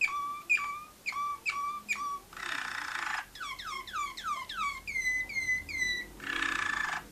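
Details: Young Waterslager canaries, Malinois type, recorded indoors in 2012: clear whistled notes repeated in a rhythmic series, two bursts of rolling water-like trills, then falling slurred whistles and sustained tones.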